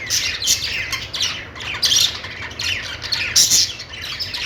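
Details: Budgies in a happy mood: rough squawking notes and quick chirps, with harsh louder calls around 2 and 3.5 seconds, several birds calling together over low hum.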